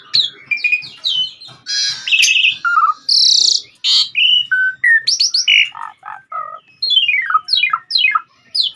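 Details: Asian pied starling singing gacor-style for masteran audio: a dense medley of chirps, harsh rasping bursts and bright whistles, ending with a series of sharply descending whistled strokes.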